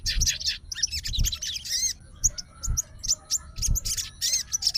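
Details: Excited sooty-headed bulbul, called a fighter, utters short clusters of sharp, high chirps and slurred twitters. Dull thumping can be heard below.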